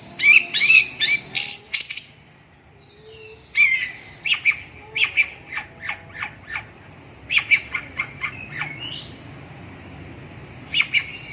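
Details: Long-tailed shrike singing a varied, scratchy phrase sequence: bursts of harsh notes and short chirps in uneven clusters, a brief pause near two seconds, then more clipped high notes through the end.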